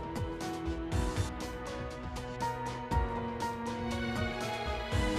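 Music with rhythmic percussion beats and sustained instrumental tones; no animal sound.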